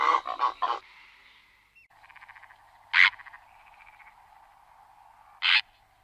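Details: Purple heron in the Ebro Delta Natural Park, Tarragona, Spain, June 2011, giving a quick triple burst of harsh croaks followed by two single rasping calls, with a soft pulsing chorus running underneath.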